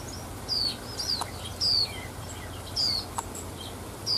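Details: High, thin slurred chips from a female white-eye outdoors, a call meant to excite males, spaced about a second apart with occasional ticking clicks and soft background hum.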